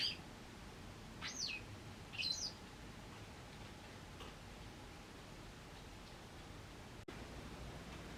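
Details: White Wagtail living wild with an injured leg, monitored during its recovery; two or three brief high chirps early on, then quiet background with a faint steady hum.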